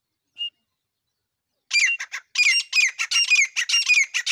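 A female grey francolin gives one thin note, then a fast run of harsh, squawky, high calls, nearly two per second, in quiet surroundings.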